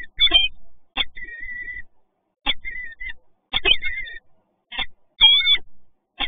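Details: Peregrine falcons meeting at the PGE site in Toruń, Poland, on 28 February 2022 give high, wavering whining calls mixed with short harsh chipping notes, in bursts about once a second.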